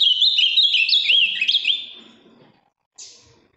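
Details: A large ultramarine grosbeak from Minas Gerais, bright blue, singing a firm, rapid run of high whistled and warbled notes for two seconds that fades out, then a short hiss.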